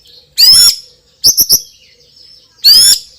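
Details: White-rumped shama, a loud champion songbird, giving three separated bursts: a harsh buzzy rasp, a quick triple of high clipped notes, then another loud buzzy rasp, with quiet gaps between.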